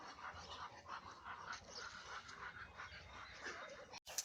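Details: Muscovy duck (Cairina moschata), hissing.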